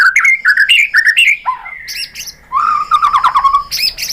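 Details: Murai batu, or white-rumped shama, in an excited lure song used to make other shamas respond: fast chirped whistles, a long level whistle, then a rattling warble of rapid notes.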